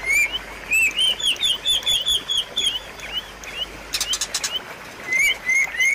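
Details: Song of the white-rumped shama, played to prompt a caged bird to sing again: rapid strings of looping whistled notes, a pause with sharp clicking bursts, then renewed clear whistles.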